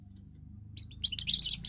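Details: Young European goldfinch with its first song, defending territory and attracting females: a low rumbling background, then a loud burst of bright, tinkling, twittering notes in the second half.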